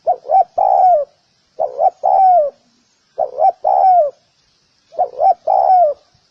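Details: Spotted dove giving its cooing call: two quick notes followed by a drawn-out, downward-sliding coo, the phrase repeated four times about every one and a half seconds in a quiet setting.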